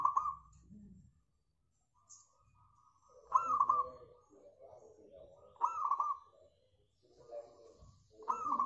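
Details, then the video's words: Zebra dove, local bird, singing to lure other birds into song: repeated phrases of soft rolling coos roughly every two to three seconds, with lower murmuring sounds between them. "PANCINGAN AMPUH PERKUTUT LOKAL SUPER GACOR"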